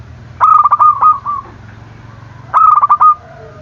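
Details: Zebra dove calling as a lure to stir lazy or silent doves; two stuttering cooing phrases about two seconds apart, each opening with rapid clipped notes that fade into a softer rolling trill.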